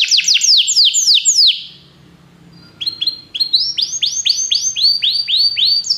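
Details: Belgian canary song meant to make other canaries sing: rapid descending whistled sweeps, a pause, then a series of rising arched whistles repeated about three per second.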